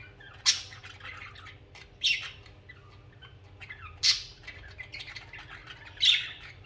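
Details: Pet budgerigars singing and chirping: loud harsh squawks roughly every two seconds, four in all, with softer chattering warble filling the gaps between them.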